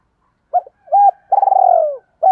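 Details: Hollow call of a decoy spotted dove luring wild birds: a short coo, a flat held coo, then a long vibrating purr sliding downward, ending with another brief note.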